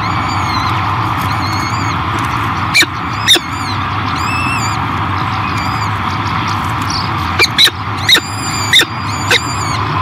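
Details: Feeding time at a 2023 peregrine falcon nest on Great Spirit Bluff, with a female tending new hatchlings: faint high wavering peeps drift through hum, broken by two sharp notes, then a cluster of loud harsh calls near the end.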